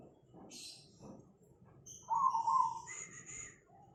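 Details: Zebra dove, a perkutut cemani, recorded in Tangerang, Banten, Indonesia, 24 August 2020: one short, trilled, quavering coo phrase, followed by high whistled chirps from other birds and faint background noise.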